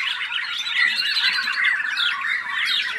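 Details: Kept white-rumped shama (murai batu) pouring out a nonstop stream of harsh, squeaky chatter mixed with short whistled slurs and rapid up-and-down trills.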